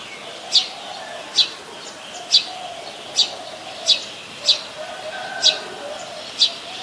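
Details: A Brown-throated sunbird in Ubon Ratchathani, Thailand, on 13 January 2021 gives eight sharp, high, clipped notes, spaced about a second apart at an uneven pace, over a soft low background hum.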